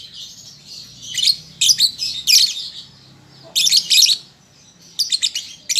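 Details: {'caption': 'Young lovebird learning to sing: scattered groups of shrill, scratchy chirps separated by quieter gaps, ending in a quick burst of several sharp notes.'}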